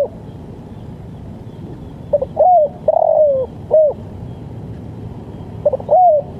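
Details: Spotted dove heard in the 'lambung kuk' style, a recording for luring and training birds: one full phrase of quick stutters, a long falling coo and a final note, then the next phrase begins.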